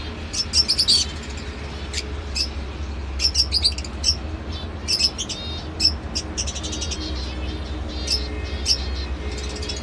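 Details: Lovebird uttering short clusters of piercing high chirps and buzzy squeaks separated by brief gaps, the bursts recurring every second or two over low background hum.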